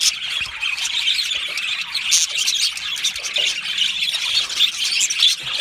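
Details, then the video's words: Australian budgerigars in an aviary colony, happy singing and chirping: a dense, unbroken wash of high squawks, squeals and scratchy chirps from many birds overlapping at once. "Australian Budgie singing and chirping sounds"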